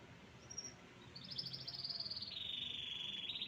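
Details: Canary song: a long sustained high buzzy trill, rapidly pulsed, holding level then stepping slightly lower, with a brief whistle before it and a low background hiss.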